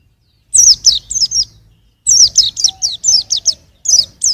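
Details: Bright, high twitter of a young white-eye: clusters of swift falling chirps repeated after short gaps, a faint lower whistle audible in the background.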